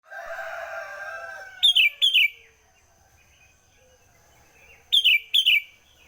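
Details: Sooty-headed bulbul singing early in the morning: two loud bursts of short, bright, slurred notes, each a pair of quick phrases, spaced about three seconds apart, after a long drawn-out harmonic call in the background and a faint steady high tone.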